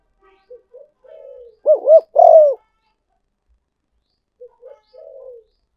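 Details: Spotted dove call used as a luring decoy: soft short coos, then a loud pair of looping warbled notes and a long descending coo, with quieter trailing coos repeating after a pause.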